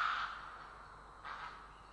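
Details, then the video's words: Grey heron, Estonia, 3 April 2017: a loud harsh squawk opens, followed after about a second by a second shorter, rasping call against quiet background. "Grey Heron"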